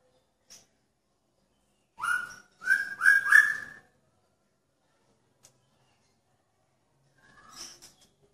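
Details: Caged male magpie-robin in a pairing cage, calling to attract a female: a few loud, slurred whistled notes grouped closely together, then silence and a faint softer note near the end.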